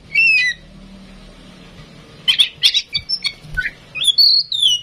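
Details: Tame female oriental magpie-robin, a bird in full song used to prompt others: one whistled phrase, a pause, then a quick string of chirps and rising notes ending in a long sweeping whistle.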